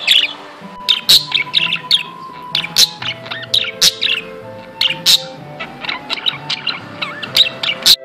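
A budgerigar chatters in quick, high chirps and squeaky warbles, with sharp clicks every half second or so; faint steady tones sit underneath.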